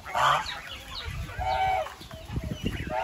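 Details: Three separate goose honks: a loud nasal blast at the start, a drawn-out call in the middle, and another near the end, with low rumbling noise between.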